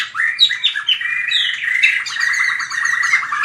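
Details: White-rumped shama fighting song for training: rising whistled notes that flow into a steady, rapid rattling trill, with faint high notes above.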